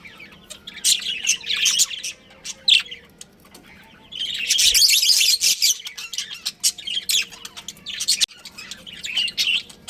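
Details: Budgerigar breeding pair in captivity producing dense continuous chirping and chatter, with a loud sustained burst of overlapping high notes midway and irregular chirps before and after.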